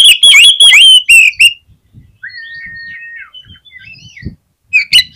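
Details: An oriental magpie-robin sings hard, a lure to get rival magpie-robins singing: loud rapid ringing slurs, then a quiet sustained whistle and faint twittering, closing with another loud rising burst.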